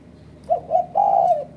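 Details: For bird trapping in Malaysia, a spotted dove lure call: a short coo, a second slightly longer one, then a sustained soft coo, over faint hiss.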